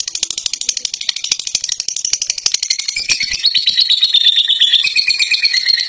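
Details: Fighter lovebird kept in a cage, giving the long ngekek song: sharp clicking pulses speeding into a dense, shrill rattling chatter that grows louder and holds a high steady tone.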